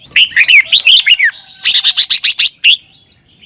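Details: Red-whiskered bulbul in Thailand, for teaching caged birds: a run of looping, warbled notes flows straight into a quick series of seven even chirps, then one final bright note.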